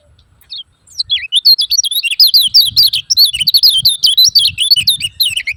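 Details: Lemon-bellied white-eye giving 'ciak ciak' calls, used as a lure to get silent caged white-eyes singing: after a brief opening note comes a rapid, dense run of sharp, high, wavering chirps that keeps going to the end.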